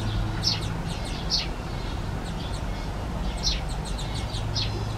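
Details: Greenfinch fledglings following their parents and begging, calls heard from afar. Short bursts of high, sharp chirps arrive in small clusters about every second, some fainter notes between, over continuous low-pitched background noise.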